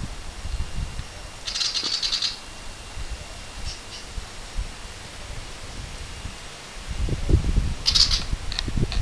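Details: Fledgling willie wagtails out of the nest for the first time in a lemon tree give short, high, raspy buzzes in two brief bouts about six seconds apart, over a low rumble of wind and handling noise.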